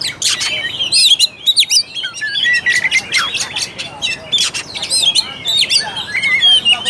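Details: Oriental magpie-robin singing, used to rouse a lazy bird and its fighting spirit: loud varied whistles mixed with scratchy chattering notes in rapid irregular bursts.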